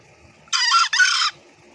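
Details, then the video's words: Wild green junglefowl giving its ngekek call to summon companions, used as a lure that other green junglefowl usually answer; two harsh, rasping, broad bursts in quick succession, the second slightly longer, against a quiet background. "suara ayam hutan hijau ngekek memanggil teman nya"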